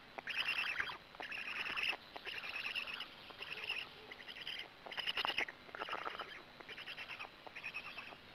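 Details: Black stork at its nest in Gemenc, Hungary, 13 May 2017 at 20:04, an adult arriving then feeding: harsh, wheezy, hissing bursts about half a second long, repeated roughly every second, with a faint high ringing note behind.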